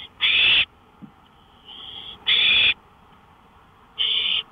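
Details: Owl on a porch at 1:53 AM on May 5, 2013: three harsh, hissing bursts of about half a second each, with a fainter raspy note between them, over a steady low background hiss.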